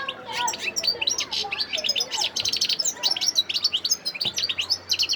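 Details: European goldfinch, wild, from Sidi Bel Abbes, Algeria, December 2021: continuous, dense twittering song of bright, quickly changing chirps and liquid notes, with a faint tap partway through.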